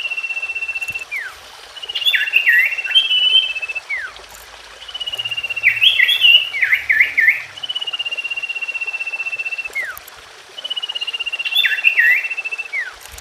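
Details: Common iora singing to stir a non-singing bird: three phrases, each a long steady rapid trill followed by a falling slur and a run of bouncing, curled whistles.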